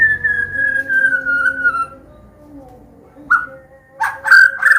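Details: White-rumped shama, Medan type, singing a combination song meant to teach young birds: a long, slowly falling pure whistle, a pause, then a short whistle and a burst of rich, buzzy warbled notes, over a low hum.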